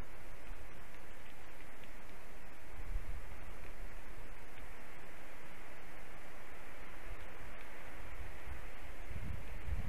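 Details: Steady broadband rushing noise, like wind or distant traffic, with low rumbling and no animal calls.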